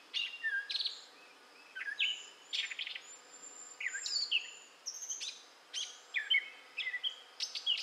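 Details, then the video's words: In southwest Michigan, May 2011, a gray catbird sings a rambling run of varied squeaks, chips and mewing slurs, broken by brief pauses, with faint steady background noise. "Gray Catbird Singing in Michigan"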